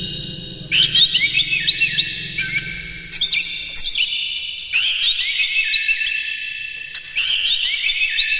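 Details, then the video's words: Oriental magpie-robin singing hard in rapid firing bursts with mimicked phrases, played to rouse rival magpie-robins: long layered phrases of warbled whistles and twitters shifting in pitch, a low hum early on. "KACER NGEPLAY GACOR NEMBAK-NEMBAK ISIAN, PANCINGAN AMPUH NAIKAN EMOSI KACER"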